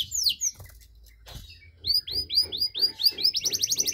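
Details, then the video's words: Canary singing to provoke other canaries: after a quiet gap with faint clicks, repeated down-slurred whistles build up and speed into a dense rapid trill at the end. "KENARI CENGKOK DURASI PANJANG!! AUTO MANCING EMOSI KENARI LAIN"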